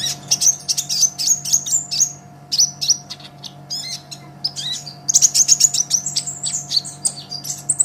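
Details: Fast, unbroken olive-backed sunbird song used as a songbird training master: dense streams of high, sharp chirps and trills, a brief lull, then an even quicker run of piercing repeated notes over a low hum.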